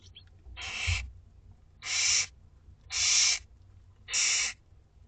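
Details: Four rasping, hissing screeches at fairly regular intervals of about a second come from two-week-old barn owlets begging at dinner time in a school garden.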